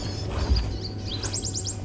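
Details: White-bellied sunbird on a morning safari drive at Djuma Game Reserve, South Africa, 11 September 2015, gives a quick run of five high, thin "chip" notes, each slightly falling, over a low rumble of engine or wind.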